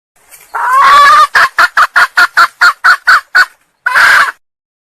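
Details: Female red junglefowl from Sumatra calling to attract males, used as a lure; a loud drawn-out opening note, then a rapid run of about ten sharp clucks, and one final harsh burst after a short pause.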